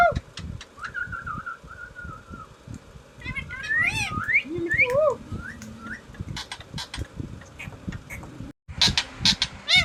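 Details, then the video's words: Green talking parrot giving clear whistled tones, then a run of rising and falling looping notes and squawky syllables, with a short silent break near the end and steady knocking and clatter in the background. "#talking parrot"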